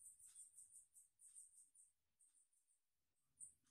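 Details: Red siskin chick being fed by its parent gives very high, thin squeaky chirps in quick runs, about three a second, broken by short pauses over a faint low rumble.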